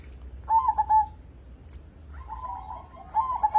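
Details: Active local zebra dove, used as a lure to encourage other birds to sing. A quick three-note coo, a quiet gap, then a longer wavering trill running into another bright coo phrase.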